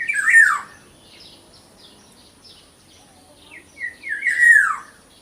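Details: Small local black-naped oriole gives a harsh, slurred falling note at the start, then near the end a few short notes building into a second falling, nasal phrase.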